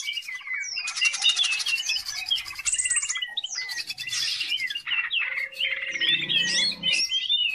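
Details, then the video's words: Caged greater green leafbird giving a lure song meant to train other birds: rapid varied whistles and chattering runs with rasping buzzy bursts, while a lower murmuring sound joins near the end. "CUCAK IJO GACOR || COCOK BUAT PANCINGAN"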